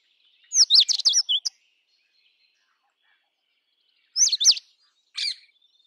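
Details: Indian robin, a bird of open scrub across the Indian subcontinent, singing two clear bursts of quick whistled and warbled notes high in pitch, the first phrase about a second long, a shorter phrase repeated after a pause, no other sounds.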